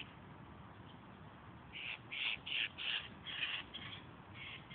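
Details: Hungry Eurasian jays burst into a rapid run of harsh, grating screeches, about three per second, after a quiet start, with a softer pair closing the sequence over low background noise.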